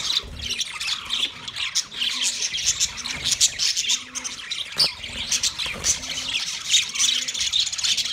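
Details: Mating chatter from a yellow male budgerigar: busy high-pitched twittering and squawky chirps flowing without pause, with a faint repeated low hum underneath.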